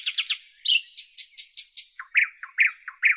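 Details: Nightingale song with quick rattling notes, a slurred whistle, a run of five evenly spaced dry high clicks, then loud repeated low throaty chook notes about four per second.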